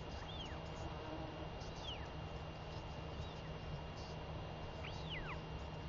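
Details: Northern royal albatross chick, very vocal, begging its mother for food when she returns after seven days away, 23 May 2021. Thin whistled notes, each rising then falling in an arch, spaced irregularly over steady low background rumble.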